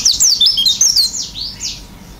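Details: Vigorous isian song from an oriental white-eye with beak open: a quick cascade of shrill sliding whistles, then a few longer downslurred notes fading away.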